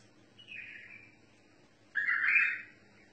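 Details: Bulbul song in the mutawa'i style: a soft, slightly falling warbled phrase followed by a louder, fuller burst of rolling, buzzy notes, with a low steady hum behind.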